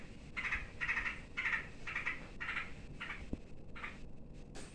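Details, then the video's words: Yellow-vented bulbul calling in fright and setting off other birds: a run of rough, buzzy chatter bursts about twice a second, fading toward the end, over constant background noise. "SUARA BURUNG TRUCUK KETAKUTAN BIKIN YANG LAIN IKUT RIBUT"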